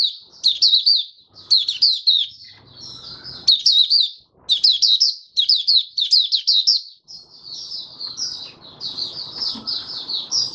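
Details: Open singing by a caged oriental white-eye, fifth day after monthly worm treatment, January 2022: quick strings of high sweet chirps in repeated bursts, ending in a smoother, continuous warble against a soft noisy background.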